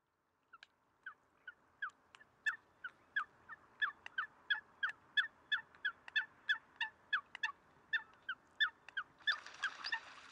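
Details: Eurasian coot (Fulica atra) in Greece, February 2023: short, sharp, nasal notes repeated about every third of a second in a steady run, ending in a burst of broad splashing water noise.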